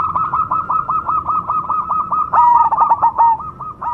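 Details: Perkutut Cemani zebra dove, kept for contests: a steady run of repeated coo notes joined midway by a louder, lower overlapping series from another bird.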